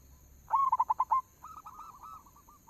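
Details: Local zebra dove lure song, a sharp run of about six fast, punchy coo notes, followed by a quieter, rippling series of coos from another bird further off.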